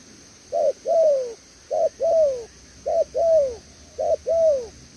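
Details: Recently trapped spotted dove repeating its 'đèo lò xo' coo four times, each a quick note then a smooth descending coo, regular rhythm over a constant high-pitched hum.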